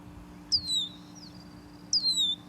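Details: Male Red-winged Blackbird alarm whistle, one of three versions, warning other birds of nearby predators: two high, thin, downslurred whistles about 1.4 seconds apart, each with a fainter high overtone, over a low steady hum.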